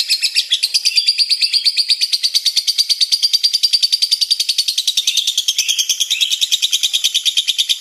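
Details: Lovebird in a long 'ngekek' chattering song, which lasts almost four minutes in full: a fast, even stream of shrill, high trilled notes without pause.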